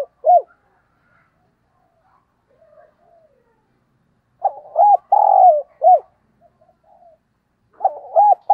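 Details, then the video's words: Decoy spotted dove calling in the morning, giving repeated phrases of soft, hollow coos. Two quick looping notes are followed by a sustained, slightly falling note, and a faint murmur sounds between the phrases. "Tiếng Chim Cu Mồi Gáy Gọi Vào Buổi Sáng"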